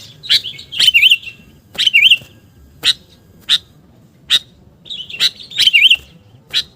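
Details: Sooty-headed bulbul call used as a bird lure: bright clipped chirps at a steady pace, several stretched into short rolling, wavy warbles.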